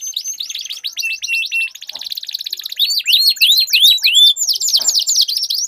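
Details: Caged canaries in a singing duel, used as a training lure for show birds: fast rolling trills of down-slurred notes, long buzzy rattles and sweeping whistled phrases, all high-pitched and continuous.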